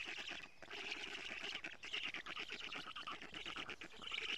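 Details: Black stork nest in Estonia at 07:47 on 14 June 2017, watched by a live nest camera as the female brings many lampreys to the storklets; a dense, raspy, wheezing chatter with fast, faint ticking pulses underneath.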